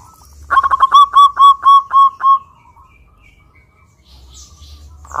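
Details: A lively local zebra dove sings as a lure for other doves: a rapid stutter leading into eight clear, evenly spaced, rounded coos, then near silence and a brief faint noise at the end.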